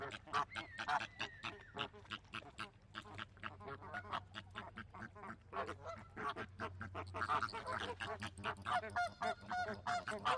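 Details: Flamingos, noisy birds living by water in big flocks: a dense chorus of nasal, goose-like honks repeating rapidly and overlapping throughout, with a few higher drawn-out notes near the start and end.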